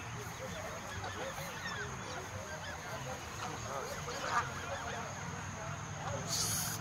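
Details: Geese in a countryside flock of over a hundred, gathered at feeding time, keep up a steady mass of short honking notes. Low background rumble throughout and a burst of hiss at the end.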